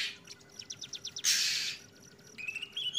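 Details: Oriental magpie-robin, trotol ngeplong song style: quick ticking notes lead into a long harsh hiss, followed by buzzy repeated notes and a short rising whistle, against a noticeable broadband background hiss.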